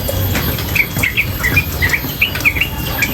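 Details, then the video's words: A female sooty-headed bulbul chatters tirelessly beside water, giving clipped, slightly warbled high notes in loose groups of two or three, spaced irregularly, while water rushes steadily underneath. "Trucukan Gacor BETINA Masteran trucukan betina dan suara air"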